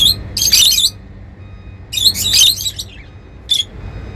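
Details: Lovebirds described as happy, calling in three bursts of harsh, high chattering chirps, each lasting under half a second to nearly half a second, separated by quiet pauses.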